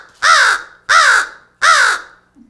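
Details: Captive American crow at a Connecticut bird rehabilitation centre, taken in as a two-week-old nestling after a hawk attack, gives three loud, harsh caws about a third of a second long, under a second apart, in a quiet room.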